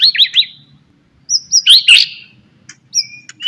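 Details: Morning song of a white-rumped shama to stimulate other shamas: three quick downslurred notes, a pause, then high whistles leading into a dense burst and a few soft closing notes.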